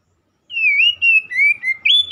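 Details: Song of an oriental magpie-robin, used to coax a stressed bird back into song: long, smooth whistled notes gliding gently downward, linked in four loud phrases ending on a higher whistle.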